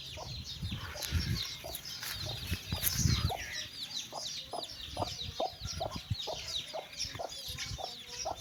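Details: Mother hen calling her chicks: low rustling thuds early on, then clipped clucks in a steady, even rhythm about twice a second, accompanied by constant high-pitched chick chirping.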